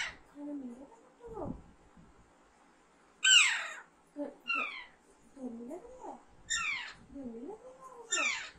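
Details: Alexandrine parakeet giving harsh, loud screeches that fall steeply in pitch, about four spaced across the stretch, between softer low warbling, wavering voice sounds.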